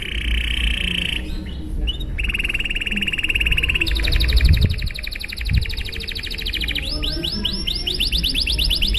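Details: Canary singing a long, lively song in a luxurious style, used to prompt other canaries to sing: a steady mid-pitched rolling trill, a short break, then faster, higher trills and rapid repeated upswept notes over low background rumble.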